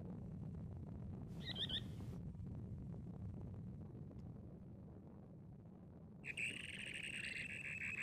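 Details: Dunlin (Calidris alpina) on a windy day in Härjedalen, Sweden, giving a couple of short, harsh, buzzy calls, one early and a longer rasping series near the end, over steady low wind rumble.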